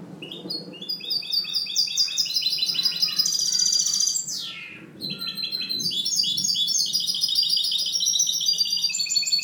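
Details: Captive European goldfinch hybrid kept as a tutor bird sings a clean, fast, continuous run of high tinkling twitters and trills, with a brief pause near the middle and nothing else heard.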